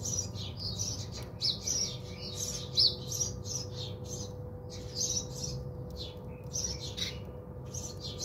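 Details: Several house sparrows chirp while bathing around a South African home, giving dense bursts of bright, high-pitched tweets in quick clusters separated by brief pauses over a low background hum.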